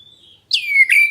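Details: A black-breasted Oriental magpie-robin calls to prompt other birds to reply: a faint thin whistle, then a loud, strong whistle sliding downward, followed by a rough, burry note.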